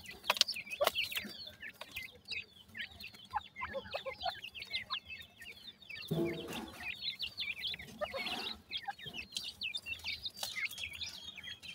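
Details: Several grey francolin chicks at feed, calling in a continuous jumble of high, short peeps, with a brief broad rustling burst midway and scattered taps.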